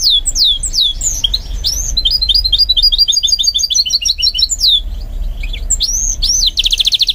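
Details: A goldfinch mule in training sings falling whistled notes, then a steady fast twitter, more swooping whistles and a closing buzzy rattle.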